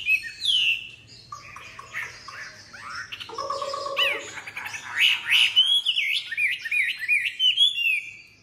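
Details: Caged Chinese hwamei, a tame songbird, mixing varied whistles, buzzy mimic-like notes and a low nasal passage, then a rapid cascade of loud arched whistles.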